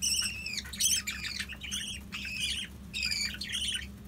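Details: Caged budgies that bred without a nest box and raised four chicks, now weaned, give a run of grating, buzzy squawks with wavering pitch, several in a row, over a steady low hum.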